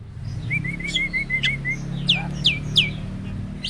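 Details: Prize-winning caged starling in loud, fast song: a run of short evenly spaced whistles, then three emphatic downslurred notes repeated about every third of a second, with low background hum.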